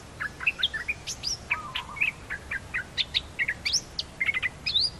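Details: Two newly trained Red-whiskered bulbul decoy birds singing: a busy run of short bright chirps and slurred whistles. Some notes rise, some fall, and they come in quick bursts with brief gaps, over a faint low background hum.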